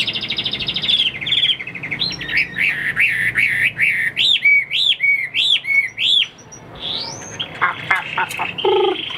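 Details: A tame caged Chinese hwamei, not yet fully conditioned, delivers a fast trill into loud looping whistles repeated about twice a second. Sharp high clicks and a brief harsh burst close the phrase.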